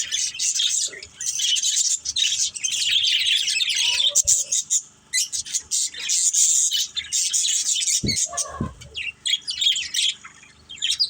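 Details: A group of pet budgerigars twittering in loud, warbling bursts of high chirps, with quieter spells and a few low thumps near the end.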